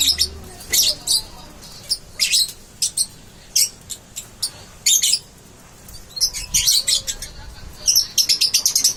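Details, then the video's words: Young lovebird chick learning to chirp rapidly, known locally as ngeriwik: bursts of shrill, harsh, high-pitched chirps in irregular clusters, with short pauses between them and a fast run of repeated notes near the end. "Love bird Baby blajar ngeriwik"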